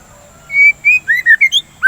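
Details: Shama song played to coax a bird into singing and to calm breeding urges: a brief burst of bright, varied whistled phrases, with clear slurred notes rising and falling in quick succession.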